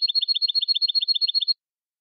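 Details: European goldfinch song in the copia malaga style, edited for teaching young birds to sing: a fast, even rattling trill of about fourteen paired high chirps over a second and a half, then silence.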